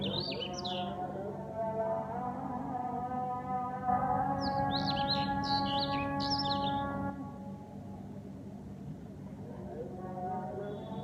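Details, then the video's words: Dawn birdsong heard during Fajr prayer: short bursts of bright, high twittering notes, a brief flurry near the start and a longer run midway, set against a loud sustained harmonic drone of voice. "Beautiful #Bird #singing During Fajar Salah"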